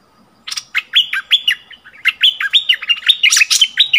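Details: On 28 February 2021, a caged decoy bulbul sings to fierce local wild birds; a lively stream of bubbly, down-curving whistles with crisp clicks, getting busier and higher toward the end.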